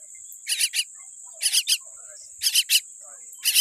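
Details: Young common myna chick with a weak beak making scratchy, hissing calls in clusters of two or three, four bursts in under four seconds, with a constant high whine behind.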